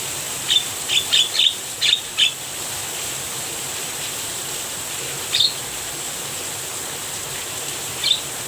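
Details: Javan myna recorded while rain falls, the bird said to be enjoying it; a quick cluster of short, high chirps in the first two seconds, then two more isolated chirps, over a constant hiss of rain.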